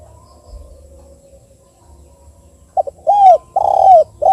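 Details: Tekukur, or Spotted dove, giving its 'KUK 2' type call, kept as a lure for derkuku. Near silence with a faint low hum, then a short grace note and two mellow, drawn-out coos at the end.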